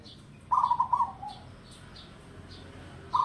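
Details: Old local zebra dove, kept in captivity for decades, gives a quick run of soft, bubbling coos that fall away at the end, then starts a new phrase; faint high chirps repeat in the background.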